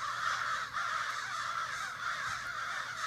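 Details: Crows gathered in a Sudbury backyard in the morning, cawing en masse; short burst of dense, overlapping harsh calls, loud and continuous throughout.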